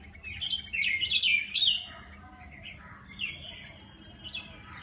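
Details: Birds chirping on a terrace where they come to be fed and watered every day: a rapid run of high twittering notes early on, then softer scattered chirps trailing off over a faint low hum.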